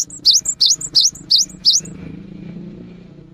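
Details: Cinereous tit singing energetically as a lure for the rainy season: six loud, sharp two-part whistled notes, each a dipping swoop followed by a short high note, repeated quickly, then a low background hum.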